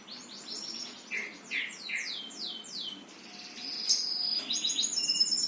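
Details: Bird singing a series of down-slurred whistled notes about twice per second, followed by a sharp high note and a thin sustained high whistle.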